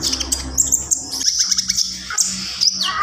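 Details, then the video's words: Javan pied starling, lively gacor singer with full isian, giving shrill chattering phrases and brief whistled slurs, one falling whistle near the end, over low hum. "SUARA KONIN GACOR FULL ISIAN"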